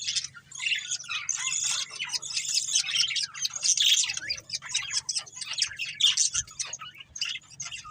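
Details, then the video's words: Continuous warbling chatter from a budgerigar breeding pair, scratchy high chirps and squawks blending into a steady stream with barely any pauses, over a low hum. "Cute Budgies Chirping Sounds | Love Birds Breeding Pair"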